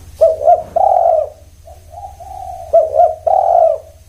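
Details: Spotted dove giving a mellow cooing phrase, two short jerky notes then a drawn-out hollow coo, followed by a softer, quieter coo and then the full phrase again; a faint low hum runs throughout.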